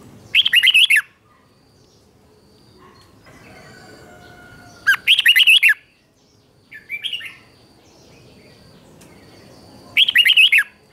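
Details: Red-whiskered bulbul giving chè-style morning training song to stir wild-caught birds. Three short, loud warbled phrases come roughly every five seconds, with a faint chirp between them.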